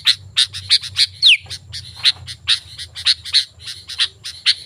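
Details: Sooty-headed bulbul in full song, played to draw wild bulbuls into answering: a steady run of short bright chirps about three per second, broken once by a single steep descending whistle, with a soft low hum behind.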